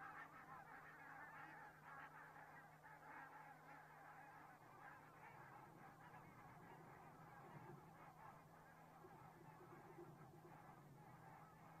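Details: A flock of geese in Estonia, recorded on 15 October 2017 at 8:45, keeps up a dense, continuous chorus of overlapping nasal honks. The honking stays busy and unbroken, and a constant low mechanical hum runs beneath it.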